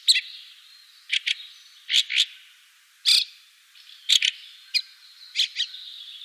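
Harsh, dry chack notes from a fieldfare, singly or in quick pairs, about one burst a second, over a steady high hiss.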